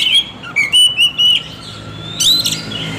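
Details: Oriental magpie-robin lure song, played to make lazy birds start singing actively: short clear whistled notes and slurred phrases, some rising, with brief pauses between them and a faint steady high tone underneath.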